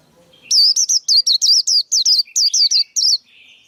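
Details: Male white-eye singing, played to teach young birds and attract birds to traps: one continuous burst of about fifteen high, bright, down-up swooping notes delivered rapidly, ending in a faint buzz.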